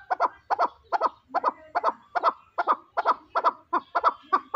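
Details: Chukar partridge kept for fighting, delivering a steady run of paired chuck notes, about every half second, loud and rhythmic with little else heard.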